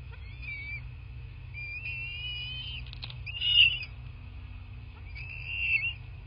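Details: Bald eagle nest in southwest Florida filmed by nest camera on 8 March 2024 at 11:00: long thin whistled whines with quavering pitch, swelling twice into louder squeals, steady low rumble underneath.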